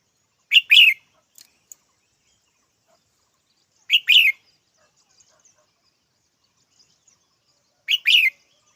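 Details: Red-whiskered bulbul repeating the same two-part chirp roughly every three and a half seconds, three times in all, with a few faint ticks in the pauses.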